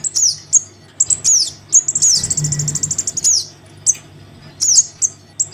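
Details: Young crimson sunbird begging for its parent, played as a lure: high, thin, sharply falling squeaks and short buzzy trills, scattered irregularly, with a faint low hum beneath.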